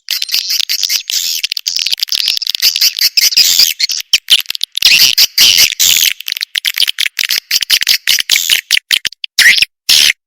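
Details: Swiftlets in an Indonesian sound track shared for swiftlet farmers: shrill, buzzy, clicking chatter in quick choppy bursts with frequent brief pauses, ending in a few separated sharp chirps.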